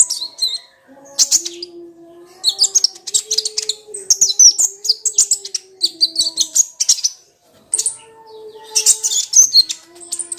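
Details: High-pitched song of the Crimson sunbird (kolibri ninja), used to provoke a stalled, lazy sunbird into song. Jumbled squeaky phrases come in short bursts separated by brief pauses, over a soft low steady tone.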